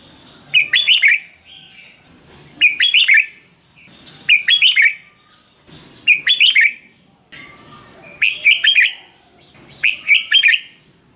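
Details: Red-whiskered bulbul song used to excite or train caged birds: six similar jaunty phrases of rapid, liquid whistles, repeated about every one and a half to two seconds with clean pauses.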